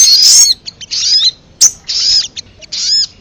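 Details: Ruby-cheeked sunbird call used as a lure to pull in wild birds: sharp, very high chirp bursts separated by brief gaps, with one abrupt loud note midway and a slurred whistle near the end.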